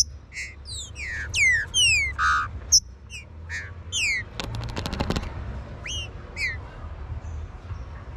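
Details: Warm-up song of a green-winged saltator: a run of loud, clear whistles that each drop sharply in pitch, delivered in quick succession. A burst of rapid clicking follows, then a few more falling whistles.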